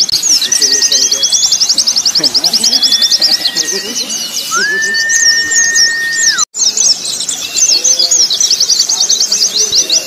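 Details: ['White-eyes in a simulated contest recording made to train caged birds. Rapid, piercing trills from several birds continue, with a long level whistle midway, a sudden brief cut to silence, then the chorus resumes.']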